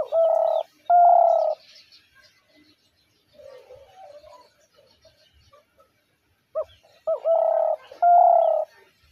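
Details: Spotted dove of the hunter's decoy type giving loud, hollow, steady coos, each a short lead-in note followed by a long even note, in two pairs separated by a pause with softer low coos between.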